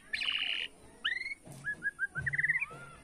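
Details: Borneo white-rumped shama in bowing-style song to rile rivals: a buzzy rattle, two rising whistles, then a quickening string of short whistled notes, against a noisy background.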